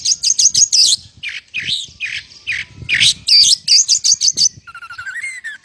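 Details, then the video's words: Oriental magpie-robin singing vigorously with lovebird imitation: fast runs of piercing high chatter and harsh squawks, ending in a softer series of short, rising whistled notes. "Burung KACER GACOR full isian LOVEBIRD"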